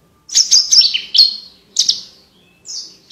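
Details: A Horsfield's bush lark in full, active song sings a quick, varied run of clear, crystal-bright chirps and buzzy trills in short bursts with brief pauses, on a clean background. The recording is used as tutor song for contest birds.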